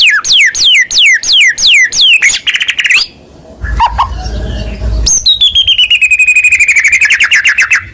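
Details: White-rumped shama, a contest-ready kept bird, in vigorous song. Fast repeated downward-swooping whistles give way to a short noisy gap with low rumble. Then comes a long, rapid, even trill of high bright notes.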